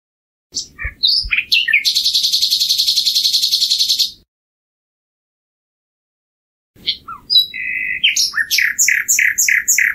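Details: Common nightingale song: a few scattered chirps, then a dense buzzy rattle lasting over two seconds, silence, and a phrase of varied whistles ending in a rhythmic row of repeated notes.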